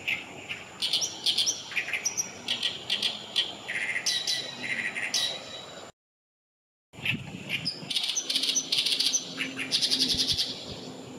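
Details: An Oriental reed warbler at Kanai retention basin on 6 June 2020 sings loud, harsh, grating chattering phrases in rapid bursts with a brief break midway, a thin high whine running steadily behind.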